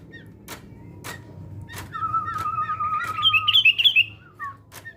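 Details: Sooty-headed bulbul in fighting-spirit training: a long steady wavering whistle gives way to a loud burst of quick, bubbly, rising-and-falling notes, followed by two short slurred chirps, with sharp clicks throughout.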